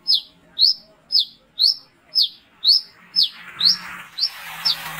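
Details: Night recording of a brown-throated sunbird used to lure others, calling persistently: about ten piercing, downslurred chirps spaced half a second apart, with a faint low hum and hiss building toward the end.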